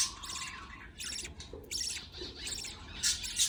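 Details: Baby budgerigars begging while a parent feeds them, giving quick harsh chirps in a rapid, uneven series, about three per second, with a low background hum.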